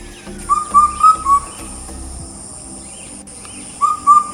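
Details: Common Hawk-Cuckoo (brain-fever bird) in a tea garden in Assam gives a quick run of four clear, slightly rising whistled notes, then starts the phrase again. A steady high insect whine runs underneath.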